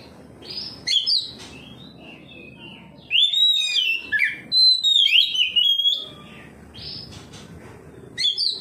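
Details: Oriental magpie-robin answering a rival with song: brief high notes early, then a dense burst of loud twisting whistles in the middle, against steady low background hum.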